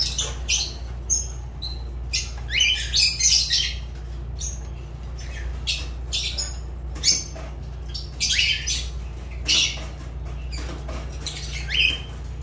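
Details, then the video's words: Fischer's lovebird, a kept pet bird, giving scattered bursts of shrill, harsh chirps and squawks, some with quick rising sweeps, separated by short pauses over a steady low electrical hum. "Lovebird Agapornis Fischer sounds"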